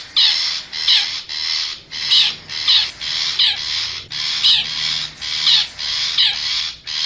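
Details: Long-tailed shrike in forest, lure sound for wild birds: continuous string of scratchy, rasping notes with slight rises and dips in loudness.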